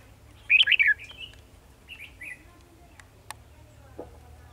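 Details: Red-whiskered bulbul at a trap site, recorded 18 December 2020: a loud burst of warbled, slurred notes, then softer trailing phrases and scattered clicks and knocks.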